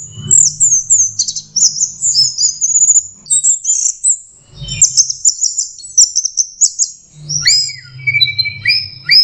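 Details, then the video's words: Young orange-headed thrush practising song: rapid very high chips and twitters in bursts, then lower whistled notes repeated near the end, with a soft low hum underneath. "anis merah belajar kicau"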